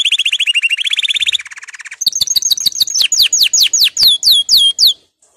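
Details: Canary singing to stimulate caged birds into song: a fast rolling trill that shifts pitch, a lower buzzy roll, then a series of loud upward-swept whistled notes repeated about every third of a second.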